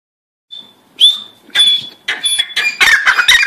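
A Grey francolin gives loud, harsh, shrill notes that start with a thin whistle and build into a fast string of grating bursts over about three seconds.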